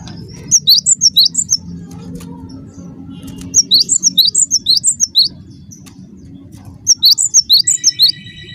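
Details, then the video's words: Actively singing cinereous tit used to provoke other tits to answer: three phrases of rapid, ringing two-note whistles, seven to ten notes each, roughly every three seconds, with a low steady rumble beneath. "semua gelatik bakal NYAUT dengarkan suara ini"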